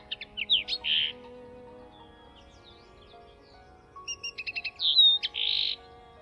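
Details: Common Linnet singing in spring at RSPB Rainham Marshes, near a hedge where others sang. Two short bursts of quick twittering and buzzy chirps are separated by a quiet pause, with a faint low drone of traffic throughout.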